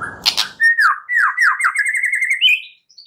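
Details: White-rumped shama singing at night, played to prompt singing: after a brief noisy start, a steady run of about ten repeated slurred whistles climbing gradually higher, ending in a high thin note.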